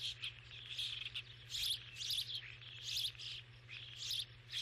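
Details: Starling calling with clusters of high, scratchy chirps and twittering notes in uneven bursts about every second, a constant low hum beneath.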